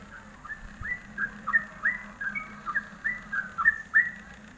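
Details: Ropelan-style song of a yellow-vented bulbul used as masteran training material: quieter, slurred whistled notes in quick bubbling runs, rising and dipping, with a constant low electrical hum beneath.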